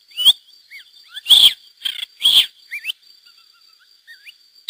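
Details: A wild pair of Lesser grey shrikes (Lanius minor) with chicks released through hacking in 2009, in the Mas de Melons–Alfés SPA, Lleida, Spain. They give harsh, rasping bursts mixed with squeaky whistled notes, about one per second, over a thin high hum.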